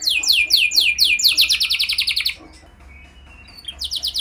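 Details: Canary song meant to lure other canaries into singing: slurred high notes quickening into a tight rapid trill, then a second of near silence before another fast trill begins.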